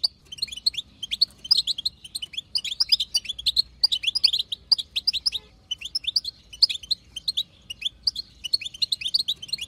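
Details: European goldfinch, a wild female, chattering in batbata fashion to draw song from a male: long series of quick twittering phrases, each about a second, pausing briefly before repeating.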